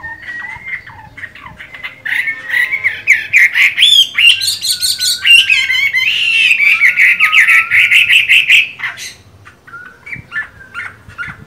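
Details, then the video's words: Singing during moult, a Chinese hwamei with green-bean eyes pours out a long, rapid, rolling warble of whistled notes that climbs and wavers, then tapers into softer, spaced calls. "Họa mi hót hay, mắt lục đậu, vẫn phong độ khi thay lông"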